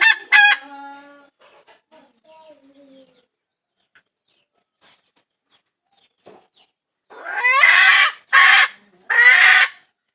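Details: A hen seeking a rooster gives a sharp harmonic call, then near silence with faint scattered notes, then three loud, harsh, rising squawks in quick succession.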